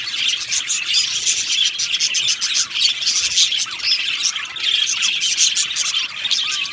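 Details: Australian budgie colony in an aviary, chirping and singing: constant high twittering of many birds, with thin warbled whistles sliding up and down near the end.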